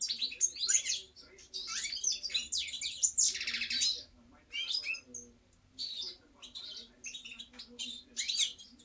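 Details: European goldfinch song: bursts of tinkling twitters and a rasping buzzy trill, then shorter chirpy phrases spaced by pauses, faint hum in the background.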